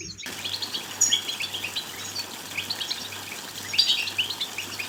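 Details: European goldfinch twitter song used to encourage another bird to sing. After a brief silent start, quick bright chirps and jangling trills flow steadily, peaking in a louder tinkling burst late on, over a faint low hum.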